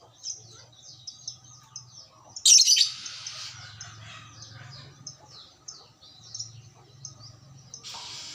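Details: Lovebird answering another lovebird, kept as a fighter-type hobby bird; quick high chattering notes, a loud harsh shrieking burst midway, buzzy trills, and a rasping burst at the close over a low hum.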